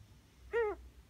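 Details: Single strange note from an almost one-year-old female Ringneck dove kept at home since May 2017: a short, rising-then-falling squeaky tone with strong overtones against faint low hum.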